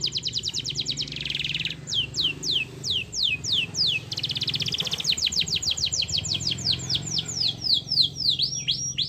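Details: Lure song of a canary, played so other canaries start singing: rapid repeated chip trills, a buzzy burst, then series of downward-slurred whistled notes about three per second, with a steady low background hum.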